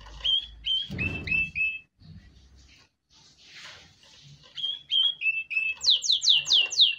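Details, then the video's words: Canary song used to train chicks: scattered short whistled phrases broken by soft rustling noise and pauses, ending in a loud run of repeated high descending sweeps. "Canary Singing - Most Spectacular HD Video Training For Chicks"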